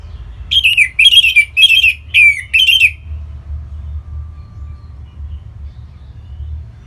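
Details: Caged orange-headed thrush in Singaraja, Bali, whose song serves to get other birds singing; five loud, evenly spaced slurred whistled phrases over about two and a half seconds, then quiet with a faint steady tone.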